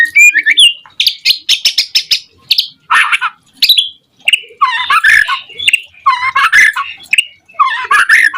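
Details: White-rumped shama song used as a lure to provoke other shamas into singing: harsh rasping bursts and buzzy notes mixed with brief whistles, in rapid, broken phrases with short pauses.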